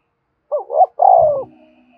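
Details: Single phrase from a spotted dove, used for training decoy birds: a quick rising double note, then a long, slightly falling coo, ending with a low thump and a faint hum.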